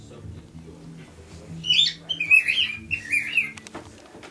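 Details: Pet male cockatiel singing indoors, a short run of three or four whistled, slightly trilled notes in quick succession after a quiet start with low room hum.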